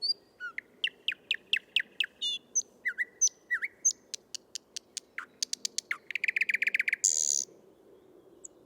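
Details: Thrush nightingale male in song, Tsaritsyno park, Moscow, 12 May 2022, parabolic recording: rapid series of dry clicking notes, falling whistles, then a fast loud stuttering rattle and a brief buzzy burst, delivered at high tempo.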